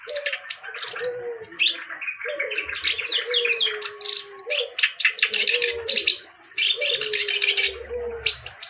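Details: Reed warbler (kerak basi) singing a fast, grating chatter of repeated scratchy notes, with soft, low, slurred whistles recurring beneath and a steady high-pitched hum.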